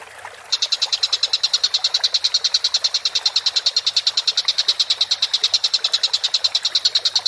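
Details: Collared kingfisher (tengkek buto) on a masteran recording used for training cage birds, calling busily: a sudden onset, then a long, fast train of harsh, clipped notes, evenly spaced at about nine per second.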